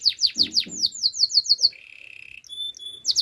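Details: Canary singing a training song: about ten fast descending chirped sweeps, then a low, even rolling trill, a pure steady whistle and a final burst of high sweeps, recorded close and clean.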